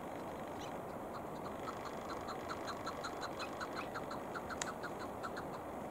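A Chukar gives a steady run of short, clucking chuk notes, more than one a second, over a constant hiss of background noise.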